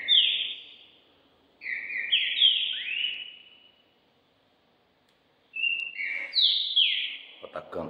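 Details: Green-winged saltator kept for song competitions, practising ahead of the season on 25 June: two rich whistled phrases of overlapping descending slurs, separated by a silent pause of about two seconds, with a brief clatter at the end.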